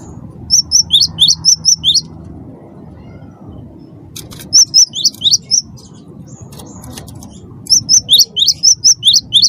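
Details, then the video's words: Cinereous tit of the wingko kind, chattering to provoke other birds into song: three bursts of rapid, high, paired whistled notes, each about two seconds long, with pauses between them over a faint background hum. "gelatik batu wingko gacor pancing bunyi suara cerewet"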